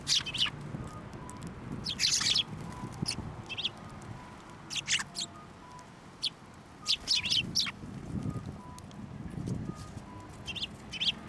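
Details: Sparrows flying onto a hand to be fed at a Tenmangu shrine on 21 December 2023; short, bright chirps come in scattered bursts over a low outdoor rumble, with a faint steady tone in the background.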